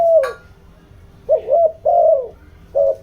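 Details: Spotted dove kept as a decoy, cooing to stir wild doves: a sharp tap at the start, then soft low two-part coos, a brief note trailing into a longer mellow one, then another begins.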